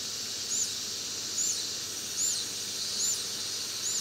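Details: Four brown-eared bulbul nestlings, grown quite large, on 17 August 2011: thin, high squeaky notes repeated about every 0.8 seconds over a steady, dense hiss of insect noise.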